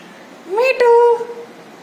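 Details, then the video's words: Pet parrot talking, saying "mithu mithu": one short voiced utterance of about a second, a rising first syllable followed by a longer level tone with rich harmonics, in a quiet small room. "Parrot talking mithu mithu"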